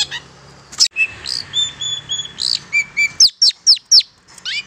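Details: Recorded call of a long-tailed shrike, played as a lure for catching wild shrikes. Thin sustained whistles give way to a run of loud, sharp descending chips, about two per second.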